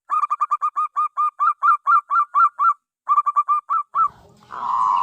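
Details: Geopelia striata, the zebra dove or perkutut, utters quick staccato coos that slow into fuller rising-falling notes, a short gap, another rapid run, then a harsh buzzy rolling phrase.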